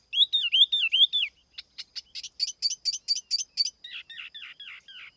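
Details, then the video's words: Decoy tiểu mi laughingthrush in noise-free song: a rolling wavy whistled phrase, then about ten evenly spaced sharp upswept notes, ending with softer descending chirps. "TIẾNG CHIM TIỂU MI MỒI KHÔNG TẠP ÂM CỰC CHUẨN"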